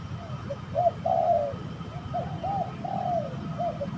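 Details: Fighting spotted doves, recorded while trapping birds at an eerie site: softer coos, a few short hooked notes and longer falling ones spaced through the passage, over low background noise.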